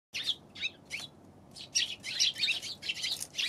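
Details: Eurasian tree sparrows recorded on 11 January: a run of short, bright chirps and twittering notes, some in quick pairs, with a brief pause mid-clip before denser chattering resumes.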